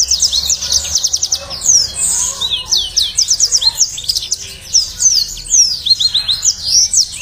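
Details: Yellow-fronted canary song for training and luring caged birds to sing: a sustained, energetic stream of high-pitched trills, buzzy rattles and quick down-slurred whistles repeated in rapid bursts.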